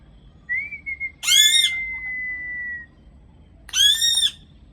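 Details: Vehement parrot sounds: a few short chirps, then a long, level whistle overlapped by a loud, harsh screech, followed after a pause by a second rasping scream.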